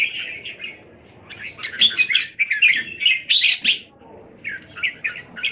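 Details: Kept red-whiskered bulbuls, Thailand, 27 January 2021: quick runs of bright chirps swell into a loud burst of overlapping warbling, fade, then return as rhythmic chirped notes.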